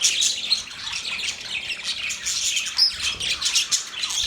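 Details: Budgerigar chatter, a busy stream of high warbled chirps and squeaky notes, steady throughout with a short sharp whistle near the end.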